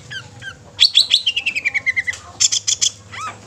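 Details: Long-tailed shrike song meant to excite other shrikes: a rapid descending series of about a dozen clipped whistled notes, then a burst of harsh chattering notes and a final upslurred whistle.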